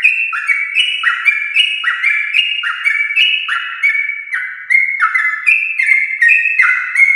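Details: Rapid, unbroken song of a champion-line yellow-vented bulbul for prompting home-kept bulbuls; whistled notes about once per second, each dropping then leaping upward, layered with sharp ticks.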